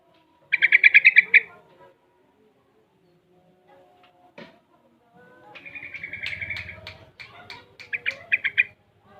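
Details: Six-month-old caged yellow-vented bulbul, very active and learning the ropel and garuda song styles, delivering rapid chattering bursts of pulsed notes, a pause, then a longer busy sequence ending in quick staccato notes.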